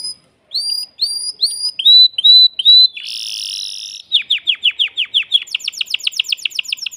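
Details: Agitated male canary in a cage, singing to stimulate a female for mating: short upslurred whistles repeated in a series, a harsh buzzy burst, then rapid descending notes and a fast high trill.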